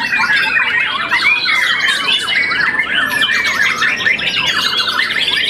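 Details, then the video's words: Young white-rumped shama after its first moult, a contest champion, delivering a dense, rapid medley of varied whistles, trills and buzzy chatter, unbroken throughout. "tambah umur pasti lebih enak || murai batu muda mabung satu kali"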